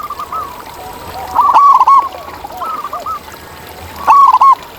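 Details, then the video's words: Wild zebra dove in natural surroundings gives a soft, quavering cooing phrase, then two loud bursts of rapid bubbling coo notes. Fainter coos sound in between over a gentle steady hiss. "Ini Dia Suara Asli Perkutut Liar di Alam!"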